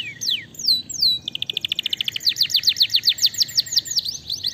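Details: Caged domestic canary singing to goad other canaries into answering: a few long downslurred whistles, a rapid trill, then evenly spaced high downswept notes.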